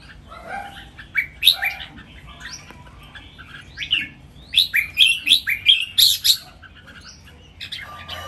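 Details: Three caged red-whiskered bulbuls in a singing contest, a dense stream of quick, bright whistled notes and chirps, building to a fast series of loud rising phrases before trailing off over a low background hum.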